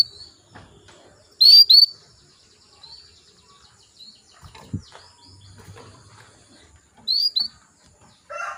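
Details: Female canary calling males, used as a lure for male canaries: two brief pairs of high upward-sweeping whistled calls several seconds apart, over faint clicks and low background noise.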